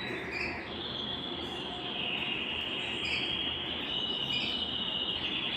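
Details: Belgian canary song meant to stimulate singing and bring hens into breeding condition; a long, sustained, high rolled trill running almost unbroken, with brief higher chirps above it and steady hiss beneath.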